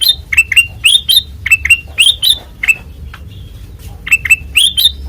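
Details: White-eyed kutilang emas singing in the open ngeplong style: rapid bursts of clear, sharply rising whistled notes that slur upward and drop, repeated in quick clusters with short pauses, plus low background hum.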